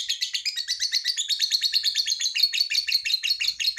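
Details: Lovebird's long chattering trill, used to prompt other lovebirds to sing: rapid, unbroken, harsh high notes pulsing several times a second throughout.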